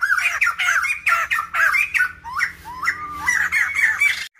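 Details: A female black-throated laughingthrush gives calls meant to provoke males into song: several loud, coarse squawks in quick succession, then a string of smoother whistled notes that rise and fall, with a faint low hum beneath.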